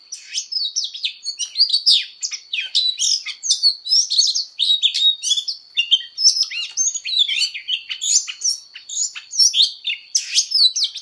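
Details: Fighting song of an Oriental magpie-robin during voice training: eleven seconds of unbroken, energetic warbling made of quick upslurred and downslurred whistles, clicks and chatter, with a thin constant high tone behind.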